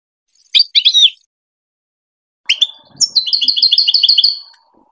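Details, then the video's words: Goldfinch song as a teaching tape for hybrid chicks: a short twitter, then a buzzy note followed by a quick, evenly repeated series of high tinkling notes, with faint low background noise. "The best singing to teach hybrid chicks and goldfinch"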